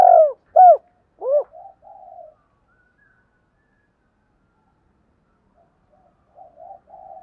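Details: Spotted dove coos used to provoke rival males: three short arched notes open the recording, then soft low murmured notes trail off, with long quiet stretches and faint coos returning near the end.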